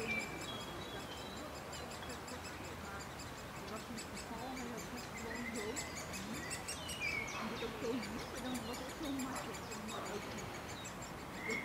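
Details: Nest of great spotted woodpeckers in a beech in a Leeuwarden city park, parents feeding three young; quick high clicking chatter runs throughout, mixed with whistled notes of other birds and a low background hum.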